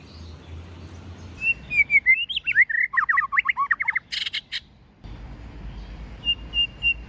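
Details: Forest-style song of a white-rumped shama. A drawn-out whistle rises into a rapid, jerky cascade of varied slurred notes and chips, then a short rasping burst. A pause follows, then soft repeated whistles.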